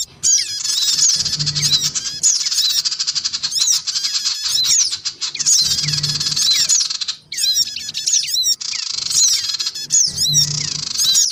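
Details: Black-winged cuckooshrike lure recording of males, females and young to attract small birds: nearly continuous raspy squawking with rapid chirps and whistled slurs, in three long blocks, with a low droning hum.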